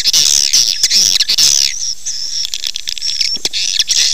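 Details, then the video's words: Swiftlet call played to bring swiftlets to nest: loud screechy chattering chirps, a short lull just past the middle, then shrill twitters and sharp clicks return. "SUARA PANGGIL BURUNG WALET"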